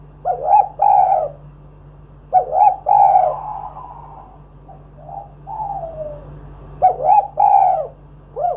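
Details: Spotted dove, a lively-singing bird used as a lure to call other doves into song, giving low mellow cooing phrases in three bursts with short pauses between, over a steady low electrical hum and a faint high whine.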